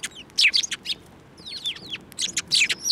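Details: Several sparrows at Tenmangu shrine on 15 March 2024, flying onto a hand to be fed, give sharp, high chirps and short downslurred tweets in quick overlapping bursts, busiest around the half-second mark and again near the end.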